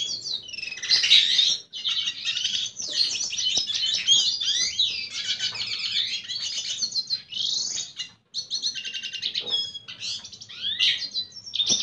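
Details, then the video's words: Courtship song of a red siskin directed at a female, a dense, hurried stream of high buzzy trills, scratchy chatters and whistled slurs running almost without break, with one short gap around eight seconds. "Pintassilgo venezuelano cantando sedutora fêmea - Red siskin singing"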